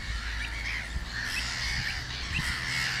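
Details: Pied avocet recorded during a summer walk, giving short, clear, sharp notes repeated roughly every half second, with a steady low wind rumble underneath throughout.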